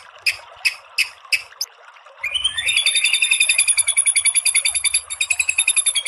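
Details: Murai batu, the white-rumped shama, with tembakan-style singing meant to excite birds into answering: five separated sharp clicks, then a rising whistle running into a long, rapid, dense trill of high pulsed notes.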